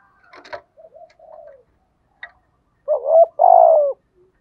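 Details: Spotted dove coo for luring wild doves: a faint rustle and soft low notes, then a strong hoarse double note and a long, slightly falling coo near the end.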